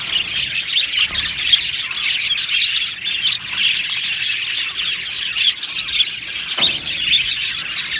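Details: Australian budgies in an aviary colony keep up a constant busy twitter, bright chirps and chattering warbles overlapping throughout, with a sharp squawk just after six and a half seconds.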